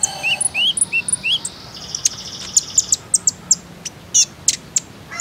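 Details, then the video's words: Common iora lure sound meant to prompt other birds to sing: a run of rising whistled slurs, then a buzzy trill, followed by quick high chips spaced about every third of a second. "KONIN IJOAN ANDA PASTI IKUTAN BUNYI, PANCINGAN TERCEPAT JADIKAN KONIN BAHAN RAJIN BUNYI"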